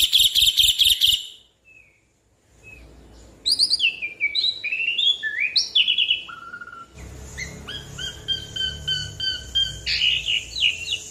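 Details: Asian pied starling pouring out a long rolling song as a lure: a harsh burst, a pause, varied slurred whistles and a low note, then fast repeated chattering phrases over a faint hum.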